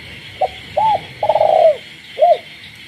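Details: Single phrase from a captive spotted dove cooing after dark in the countryside: short note, arched hoot, drawn-out trembling coo and closing arched note, with a steady frog chorus.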